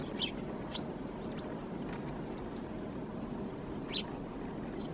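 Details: A Eurasian tree sparrow perched in a thicket in Helsinki, Finland, in January 2022, gives four brief, sharp chirps spaced irregularly, with a steady rumble of traffic underneath.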